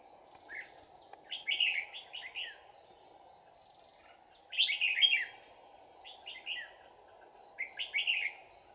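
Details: Red-whiskered bulbul, a trapped decoy bird, giving a fighting song: short bursts of bright, rapidly warbled whistled phrases, each burst about a second long, repeated every three seconds, over a steady high hum and low background noise.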